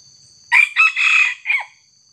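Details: During trapping of wild red junglefowl using a decoy bird against a young wild junglefowl, a single harsh crow sounds in four bursts: a sudden first note, a brief second, a long buzzy stretch, then a short fading tag. A faint high steady whine runs underneath.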